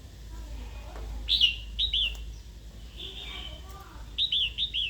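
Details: Female red-whiskered bulbul giving provoking calls to a wild-caught male to spur singing and fighting: paired and tripled sharp, downslurred notes, a thin drawn note between, over a steady low hum.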